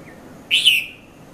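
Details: Red-vented bulbul in Mount Lavinia, Sri Lanka, between 5:30 and 5:40 a.m.: a single bright, chirpy note held briefly and tailing off slightly lower, with a faint distant bird note just before.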